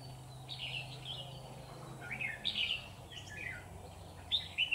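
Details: Red-whiskered bulbul decoy singing inside a trap set for wild bulbuls: scattered short, whistled warbling phrases spaced across several seconds, over a low hum.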